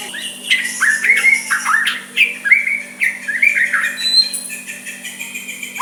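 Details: White-rumped shama singing softly to make a rival respond, a string of slurred whistles repeated about every half second, then quieter high notes, with a steady background hum.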